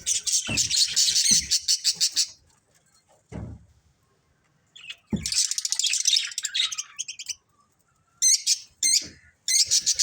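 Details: Budgies in a family group give dense runs of rapid, rattling chirps in bursts, with quiet gaps between them and soft low thumps in the background.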